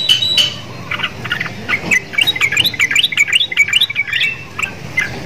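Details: Caged sooty-headed bulbul, kept beside black-winged starlings and said to sound like them: lively jumble of quick high chirps and rising whistled notes, rapid and irregular, in a continuous run with a quiet background.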